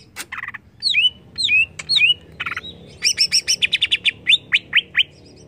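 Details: Agitating lure of greater green leafbird song: a buzzy burst, sweeping downslurred whistles repeated, then a brisk series of bright double-toned notes and quick falling chirps.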